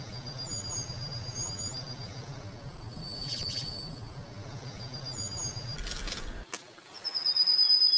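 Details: White-throated flycatcher-warbler recorded at Xitou on 18 May 2018: thin, high whistled notes repeated at intervals over a faint steady hiss, with a brief burst of rustling noise near the end.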